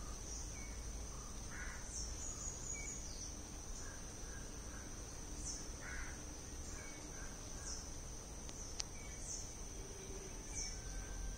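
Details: Malabar grey hornbill uttering two rasping, cackling notes several seconds apart, among soft whistled calls from other birds and a continuous high-pitched insect chorus.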